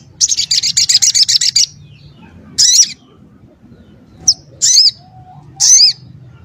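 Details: Crimson sunbird, also called sogon ontong, singing actively. It is described as having a tight, sharp, varied voice that other songbirds learn from. A fast, high, buzzy trill opens, followed by spaced, loud chirps and a short tick.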